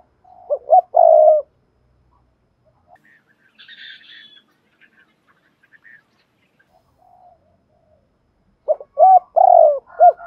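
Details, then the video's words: Spotted dove coo used to encourage other doves to sing. A low, mellow multi-note coo phrase opens the recording, a quiet stretch with faint higher chirps follows, and a second similar coo phrase closes it. "tiếng cu gáy thúc bổi"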